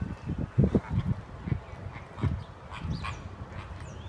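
American flamingos give low, goose-like honks and grunts in irregular bursts, several birds overlapping, with a few thinner higher notes.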